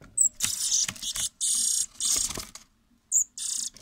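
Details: Rescued European robin nestlings give harsh, hissing rasps in short, rapid bursts, with a couple of thin, very high squeaks between them.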